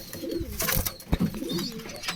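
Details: Domestic pigeons kept in cages coo softly in low, wavering tones, several birds overlapping, with clicks and scuffling noises from the cage area and faint high chirps from other birds.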